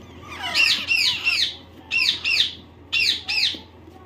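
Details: A hand-raised white and yellow ring parrot chick chirping in short arched bursts, two or three shrill chirps per group with pauses of about half a second, over a steady low background hum.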